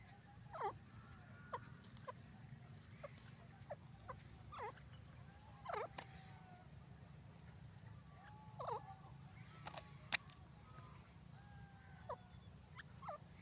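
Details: Grey francolin, known locally as teetar: short, sharp clucking notes and brief chirps scattered irregularly through the recording, with several louder bursts and a few thin whistled notes, over a steady low hum.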